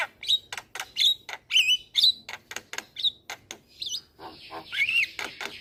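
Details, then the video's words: Javan myna singing to draw young birds into song: regular sharp clicks interspersed with warbled whistles and a quavering note, later a steady high buzz under more clicks and a wavering whistle. "Pancingan Burung Jalak Kebo Super Gacor Jalak Kebo Muda Pasti Ikut Bunyi"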